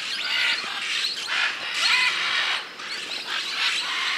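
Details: Scarlet macaws in Peru giving harsh, broadband squawks in bursts about every second, overlapping raucous calls suggesting several birds, with a steady outdoor background hiss.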